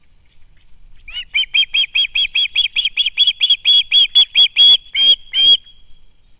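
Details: Nest camera, 12 August 2013: a juvenile osprey lingering at the home nest begs its parents for food with a hurried series of about twenty high, piercing piping notes that swell toward the end.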